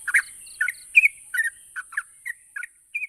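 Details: Yellow-vented bulbul, used to get quiet birds answering: softer, scattered chirps and bubbly notes, one louder burst at the start, then spaced single and double notes trailing off, with faint short dashes and a high hum.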